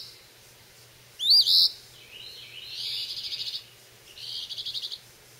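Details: A recently fledged phoebe by a porch on May 21, 2012, catching insects and apparently practicing its calls: two loud, sharp upslurred chips, then two high, buzzy, rapidly stuttering phrases over a faint low hum.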